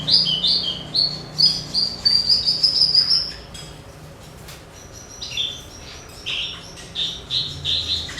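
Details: Javan bush lark song played as a training recording to get other birds singing: high bright notes and short slurred whistles near the top of the range, a rapid run of chirps, a pause, then more quick varied phrases, steady low hum beneath.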